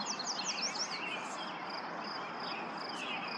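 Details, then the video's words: A Yellow Warbler at Lauritzen Gardens, Douglas County, Nebraska, on 28 May 2024, gives a quick burst of high, sweet slurred notes in the first second, then only faint high chips over a steady, hissing background noise. "Yellow Warbler singing"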